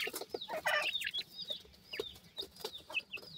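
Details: Francolin (teetar) chicks giving thin, high, downslurred peeps and short chirps in quick irregular bursts, several birds calling over one another, with soft clicks and scratching between calls.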